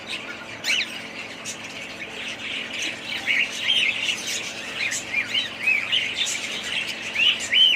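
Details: Budgerigar flock chattering: quick, looping warbled notes and bright chirps tumble over one another, growing louder and busier toward the end.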